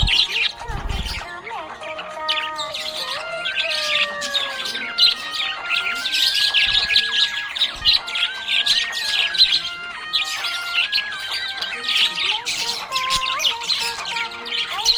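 A budgerigar chatters in a fast, scratchy warble of chirps and squeaks over a song with sustained notes.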